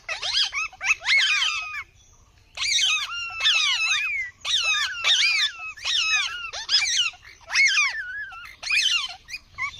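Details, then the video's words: Parrot giving loud, harsh, descending squawks in bursts of about one second, repeated roughly every second with brief gaps, each note sliding downward with strong harmonics. "Parrot ki awaz"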